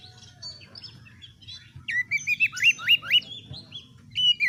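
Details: Oriental magpie-robin in full, lively song, used as a training recording to test other birds' nerve and make them fighters: faint notes at first, then a run of rapid, rising whistled slurs repeated in quick series, over a low steady hum.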